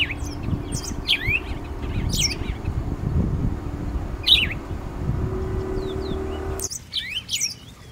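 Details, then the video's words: House sparrow chirping in lively clusters of piercing, down-slurred notes, with low rumbling background noise that suddenly drops away near the end. "Sparrows A Symphony of Nature's Songbirds"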